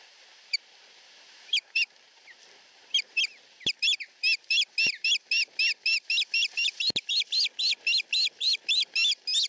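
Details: Two osprey chicks under a week old at a nest in Finland, competing for food from their mother. Sharp, high whistled chirps come in quick series, at first sparse and then rapid and steady, with a few faint clicks between.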